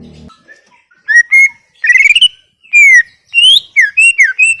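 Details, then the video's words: Tutor recording of a greater green leafbird singing full gacor: soft short notes, then a buzzy chattering phrase, long falling and rising clear whistles, and varied slurred notes between brief pauses. "Full Gacor 40 menit CUCAK IJO"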